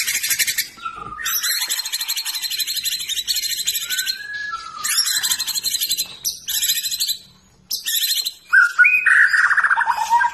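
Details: White-rumped shama, fighter type, in fighting style: long bursts of fast harsh rattling chatter broken by short pauses, with lower whistled notes slurring in near the end.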